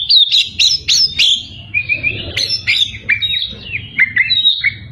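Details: Oriental magpie-robin in full, continuous song meant to provoke rival birds: rapid, varied whistled phrases with sharp upslurred notes and clear trills, high and bright, over a low steady background hum.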